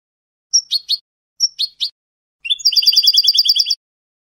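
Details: European goldfinch in Spanish 'canto de salón' song style, also called echo song and song without endings: two short chirpy double-note phrases, then a rapid, even trill of about a dozen bright repeated notes, with a clean, quiet background.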